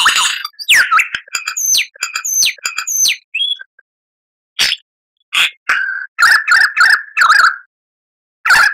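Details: Lyrebird song for cage birds to copy: rapid series of bright falling chirps, a pause, then short bursts of repeated warbled notes.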